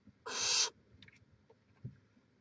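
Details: At a nest in Chula Vista, California, on 18 May 2017, a barn owl lets out a single broad, harsh hiss lasting about half a second, followed by faint quiet scratching sounds.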